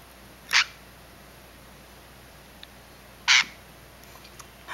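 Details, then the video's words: Rescued baby scrub-jay with a broken wing, recovering indoors after being found in a backyard: two short, harsh, rasping squawks about three seconds apart, with a faint room hum. "A Baby Scrub-Jay (Blue Jay) Rescued."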